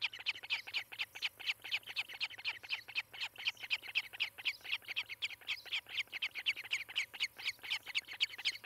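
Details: An osprey calls from its Charlo, Montana nest, caught by a nest cam on a July 2018 morning. Fast, regular run of shrill whistled chirps, roughly four per second, continuing unbroken for the whole stretch.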